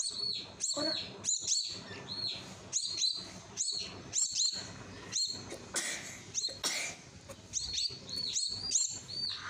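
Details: Hand-fed common myna chick begging insistently: rapid series of high, shrill, down-slurred squeals in clustered bursts, nearly continuous over several seconds, with brief rustling and low household hum beneath.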